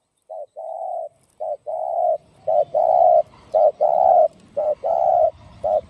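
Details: Spotted dove singing the 'gáy thúc gù' style with a 'giọng đồng' voice, meant to rouse decoy doves. Steady deep coos alternate short and long notes, growing louder, over a low background rumble and faint bird chirps.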